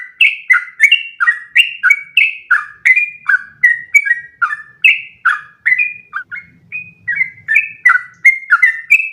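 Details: Sooty-headed bulbul, a long continuous song used as training material so other bulbuls copy its long one-breath runs; rapid chain of short whistled notes, each sliding down, about three per second, with no pause.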